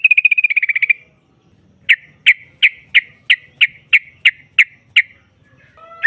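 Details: Female yellow-vented bulbul calling to provoke rival birds: a fast, even trill of about a dozen notes, then a slower series of ten sharp, separate chips spaced about a third of a second apart.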